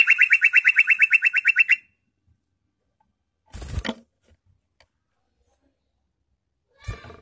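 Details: Energetic yellow-vented bulbul song used as a lure for wild birds: a fast, buzzy, evenly pulsed rattle for almost two seconds, followed by short bursts of rustling noise and a faint click.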